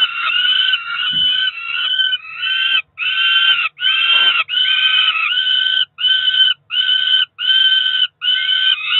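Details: Begging Peregrine falcon chicks, roughly four weeks old, two ringed young on a Cromer nest, June 2023 breakfast: wavering harsh cries at first, then a rapid series of short even wailing notes with quick pauses between.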